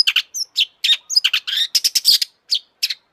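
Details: Long-tailed shrike singing energetically, a lure to excite other shrikes: a steady stream of harsh, scratchy, broadband notes, several quick double notes and a few short whistles, packed closely over three seconds.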